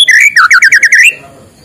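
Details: White-rumped shama in the morning, singing to provoke lazy shamas: an opening whistle, then about seven quick repeated slurred whistled notes ending on a rising phrase before fading out.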